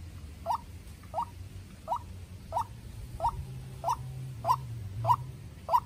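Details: White-breasted waterhen, young decoy facing a wild bird; nine short hoarse notes repeated at a steady pace about every 0.65 seconds, low hum in the background.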